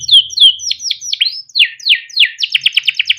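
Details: Male pet canary singing long 'cuit cuit ngerol' chirp-and-roll song, a tutor recording to prompt other canaries to sing: a series of whistled downward swoops, then a fast run of short dry repeated notes at the end.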